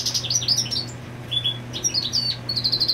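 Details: European goldfinch, a male marking territory while the female sits on the nest, singing rapid twittering phrases of high chirps and short buzzy notes, with a steady low hum underneath.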